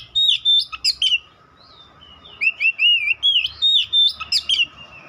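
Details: White-rumped shama (kacer) song of loud whistles and rapid chips in two bursts separated by a brief lull, notes wavering up and down in pitch.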